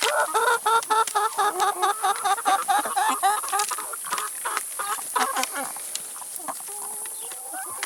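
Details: Chickens feeding on salad and vegetables; a rapid series of short harmonic clucks, about two per second, then quieter pecking and a couple of thin drawn notes.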